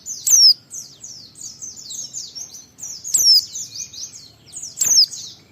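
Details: Continuous high twittering from a white-eye in the ngalas style, meant to spur other white-eyes to sing, with three louder sharp descending notes standing out roughly every two seconds.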